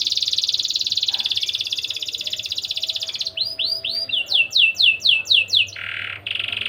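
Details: Persistent singing canary whose song serves as a lure to stimulate breeding condition in young canaries. A steady, high buzzy trill lasts about three seconds, then gives way to swooping downward whistles, a brief lower buzz and a final buzzy trill.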